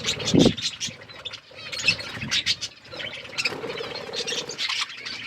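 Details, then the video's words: Budgies feeding and playing, with overlapping bright chirps and twittering warbles, a thump near the start and a faint low hum throughout. "budgies chirping sounds"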